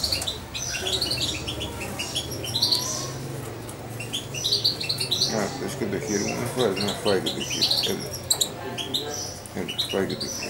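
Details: European goldfinch fledgling of nearly two months, once syringe-fed, staying in contact with its owner; sharp high chirps and twitters repeat throughout, mixed with a person's voice talking in the middle.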